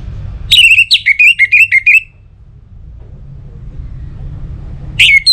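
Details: Orange-headed thrush song, played so other birds sing. One phrase of about seven quick, clear whistled notes is followed by quiet, and the start of another phrase comes at the end.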